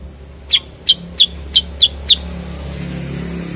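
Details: Six short, bright chirped notes from a cucak kurincang bulbul, spaced roughly a third of a second apart, then quiet, over a low background rumble.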